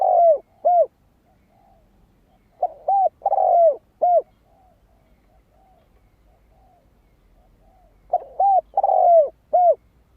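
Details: Spotted dove singing lure song to attract wild doves: three low cooing phrases, each wavering notes, a long sliding coo and a crisp final coo, with faint soft coos in between.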